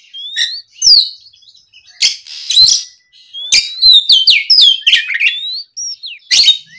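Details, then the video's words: Oriental magpie-robin responding to a rival with loud varied song: sharp downward chips, rising whistles and dense scratchy bursts, rapid and agitated with short breaks. "SUARA BURUNG KACER GACOR NGEPLONG"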